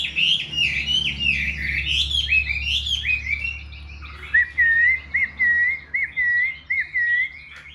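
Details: Caged Chinese Hwamei, a bird offered for sale, singing: varied rich whistled phrases sliding up and down, then a run of repeated clear looping whistled notes about every half second; faint low hum behind.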